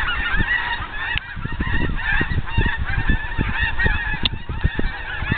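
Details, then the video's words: Geese passing overhead at sunset in the afternoon, a flock honking together: dense, overlapping nasal honks with steady chatter throughout, over a background of low wind rumble. "Geese Flying Over at Sunset"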